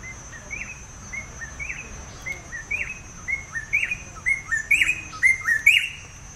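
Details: Dark-backed weaver, one of a nesting pair in a tree in Kakamega Forest, western Kenya, giving a very loud territorial call: short upslurred notes repeated about twice a second, growing louder toward the end, over a steady high-pitched whine.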